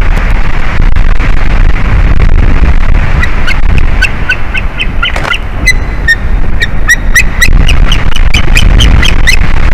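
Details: White-tailed eagle pair at the nest tree on 9 April 2021 around midday. The female calls at an unwanted intruder in her territory, and the male, known for his chirping voice, calls from the top branch. Sharp, high yelping notes quicken over heavy wind roar.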